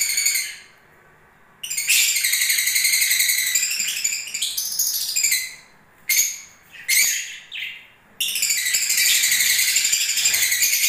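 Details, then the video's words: Breeding-season lovebirds chattering loudly: long continuous runs of shrill, rapidly repeated squeaks and twitters, broken by brief gaps and clipped chirps in the middle. "Love birds singing and movements"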